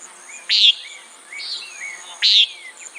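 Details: Two rasping nasal calls from a common nighthawk a little under two seconds apart, with softer sliding chirps of other birds between them and a high steady insect whine.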